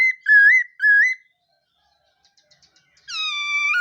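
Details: Morning song of a black-throated laughingthrush warming up its voice: two rich, wavering whistled notes, a near-silent gap with faint clicks, then a long, steady, flat tone that rises slightly at the end.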